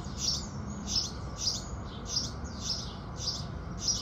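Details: Quick-fire sparrow chirps in morning light: about seven high, slightly buzzy notes following one another every half second or so, over a steady low murmur of background noise.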